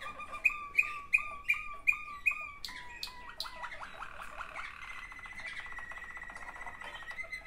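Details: One of two sibling Waterslager canaries singing: a run of six clear, evenly spaced whistled notes about every third of a second, then fast descending slurred notes, buzzy trills and a long steady held tone with faint rattling beneath.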